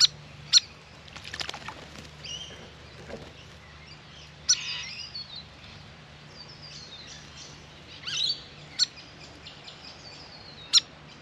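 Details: Grey fantail, a restless and vocal birdbath visitor, calling during a long bath: scattered sharp high chips with brief thin squeaky twittering phrases between them, over faint background noise.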